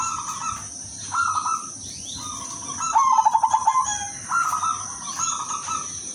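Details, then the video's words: Calling female zebra dove, silver type, luring males; short coos, then a fast stuttering run of notes near the middle, followed by more level coos, with a faint high tone throughout. "pekutut BETINA silver memanggil jantan"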